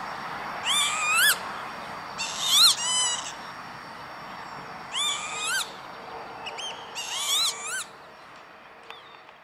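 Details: Lapwing on an industrial estate at Veenendaal, the Netherlands, May 2013, calling repeatedly: nasal, upward-swooping wheezes in quick pairs and clusters, fading toward the end over faint steady hum.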